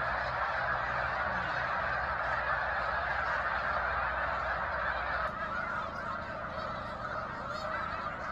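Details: A large flock of snow geese on the shore of Cayuga Lake, Seneca Falls, New York, in March 2021, fills the air with a dense, unbroken chorus of nasal, high-pitched yelping honks, many calling at once.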